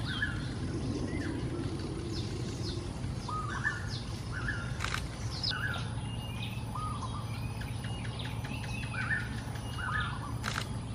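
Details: Flock of wild golden-backed weavers building nests in trees in a pond in Singapore in the early morning: raucous calling. Short, harsh, slurred chattering notes overlap from many birds, with a steady low rumble and occasional sharp clicks.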